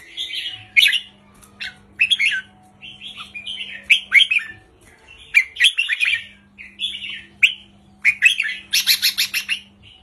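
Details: Red-whiskered bulbul giving short, simple counting-style 3-4-5 phrases, played to stir up caged birds. Clusters of chirpy warbled notes repeat across the stretch, ending in a rapid harsh rattle, with an intermittent low hum.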